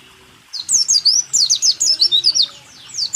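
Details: White-eye song from a 2023 training recording for caged birds: after a brief quiet start, a steady stream of high, sliding whistled notes, roughly four to five per second, fading at the end.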